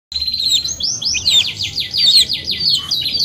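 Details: Canary singing a long, continuous song of rapid high trills and repeated sweeping whistled notes, phrases changing every fraction of a second with hardly a pause.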